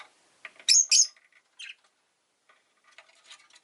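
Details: Rosy-faced lovebird calling two quick, piercing chirps in succession, then a softer shorter note, with quiet scratchy chatter before and after.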